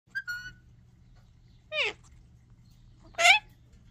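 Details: Indian ringneck parakeet talking, apparently saying "Babe, you okay?": three separate shrill, nasal syllables spaced over about three seconds, the first with clear harmonic tones, the last the loudest, against a low steady hum.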